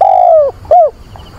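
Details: Decoy dove heard on a rainy, windy 24 September calling to attract a mate: one long, slowly falling coo followed by a shorter arched note.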